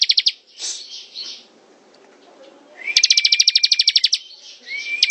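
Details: Ciblek (bar-winged prinia) ngebren song: a short ticking burst, a quieter pause, then a long, loud run of rapid sharp chips over a steady whistle, followed by a fresh rising whistle.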